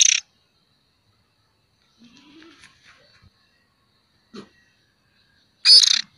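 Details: A juvenile oriental magpie-robin, recorded for luring, gives a raspy, harsh burst at the start and again near the end, with near silence and a few faint soft sounds in between.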